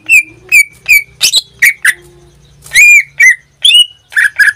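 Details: Greater green leafbird kept as a pet in Indonesia sings loud whistled slurs dropping in pitch, broken by rough chattering bursts and a faint low hum behind the notes.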